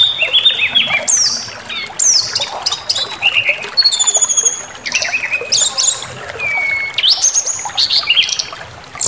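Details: Provocation song of a white-rumped shama, meant to anger listening birds into showing their material: fast jumble of sharp upslurred whistles, chips and short buzzy notes packed tightly, with brief quieter gaps.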